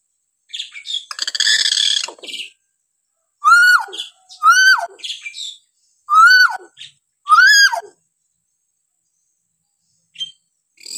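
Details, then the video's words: Hill myna calls meant to teach other mynas: a long harsh squawking burst opens, then four loud arched whistles that rise and drop, spaced about a second apart. "variasi suara burung beo"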